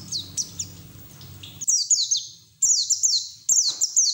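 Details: White-eye's 'ngeriwik teler' song used to push untrained white-eyes into singing with open beak; a faint start, then three loud runs of high, quickly falling chirps, each run lasting under a second.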